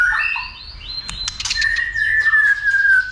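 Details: White-rumped shama stirred up to sing and fight, giving long clear sustained whistles, one held steady and slightly falling for over a second, after a few quick higher notes and sharp clicks; low background hum throughout.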